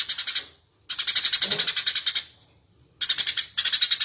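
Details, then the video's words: Energetic Eurasian tree sparrow chirping, meant as a master recording for teaching other birds to sing; three bursts of fast, harsh, high-pitched chirps, about 220 notes a minute, with short quiet gaps between runs. "suara burung gereja gacor cocok buat masteran"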